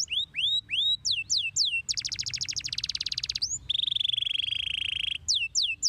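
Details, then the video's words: Canary singing, used to make other canaries reply: a few sweeping whistled notes, then a fast dense trill, a long steady rolling tone and more slurred whistles at the end. "INI BARU KENARI MATAP,sekali putar kenari apapun langsung nyautt"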